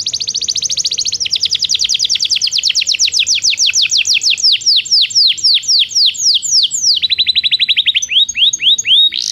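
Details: Belgian canary singing as training for non-singing canaries: a long fast trill of high notes slowing gradually into spaced descending sweeps, then a lower rapid trill and a few final sweeps.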